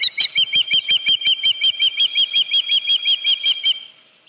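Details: At the Dunrovin Ranch nest on 31 July 2018, around a headless fish noted at 9:43 AM, an osprey calls a fast, steady run of piercing, high chirps, about three per second, before the series fades out.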